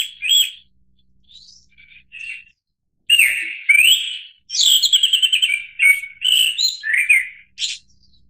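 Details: Japanese thrush song: soft opening notes, then loud, varied fluting phrases. One phrase is a rapid stuttering run of repeated notes, followed by slurred whistles and a sharp high note at the end. Clean recording with no background noise.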